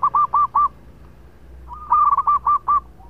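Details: Local zebra dove, singing keenly for use as a lure: crisp, hooked cooing notes in short groups of four, then a longer rolling phrase of about seven notes after a brief gap.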